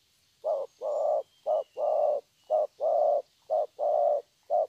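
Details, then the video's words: Low hummed cooing from a young wild-caught spotted dove with thổ voice, short and long notes alternating evenly, about one phrase per second, over soft background hiss. "Thổ tốt tiếng.(chim tơ)"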